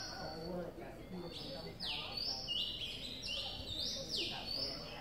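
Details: Two-day-old Streak-eared Bulbul nestlings in Ubon Ratchathani, Thailand, on 4 April 2023. High, sharp, sweeping chirps overlap, some rising and some falling. They come in rapid, irregular bursts over a low background hum.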